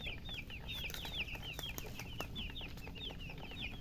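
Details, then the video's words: Baby chickens, described as thirsty and wanting drinking water, peep in a dense overlapping chorus of short, high, downward-slurred chirps, several per second, with a low background hum throughout. "Murgi chicks Chirping sounds with thirst for drink water"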